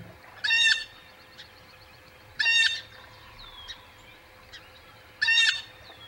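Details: A blue jay at the Audubon Boathouse nest site on 19 April 2020, early in the morning, gives three harsh, nasal jeers, each under half a second and about two to three seconds apart, with faint thin notes from other birds between.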